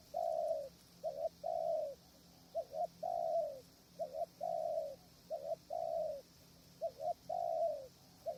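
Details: Decoy spotted dove calling at a krajom trap in strong wind, with wild birds distant; brief two-part coos followed by long drawn-out soft coos, the phrase repeated about every second and a half in a regular rhythm.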